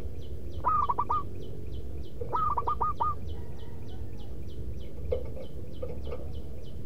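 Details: Loud rhythmic manggung song of a zebra dove used as a lure. Two bright phrases of four to five rapid cooing notes come early, followed by fainter notes. Steady high ticking sounds and a low rumble continue in the background.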